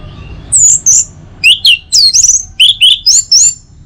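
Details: Morning song of an Orange-headed thrush, played to get other birds singing: a lively sequence of very high slurred whistles alternating with lower swooping notes, delivered in quick, varied bursts.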